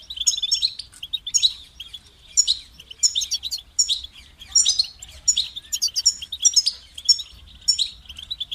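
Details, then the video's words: European goldfinch delivering quick chirps and twittery trills in short repeated bursts about every half second, sounding bright and tinkling, with faint low background hum. "Highlighting motivating songs for creative goldfinches in simple ways"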